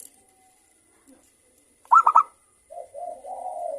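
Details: Local zebra dove with a crystal voice, singing to prompt other doves: three sharp, ringing notes in fast succession, then a soft, throaty, rolling coo.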